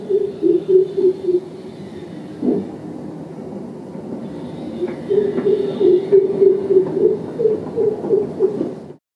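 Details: Greater coucal (crow pheasant), recorded in an urban setting, gives low, hollow hoots in quick runs of about three per second, two bursts separated by a short pause, with faint background rumble.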